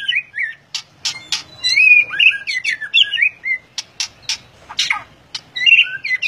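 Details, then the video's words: Energetic white-rumped shama song mixing loud snapping clicks with warbled, sliding whistles, phrases changing constantly and flowing almost without pause. "Murai Batu Gacor Ngeplong"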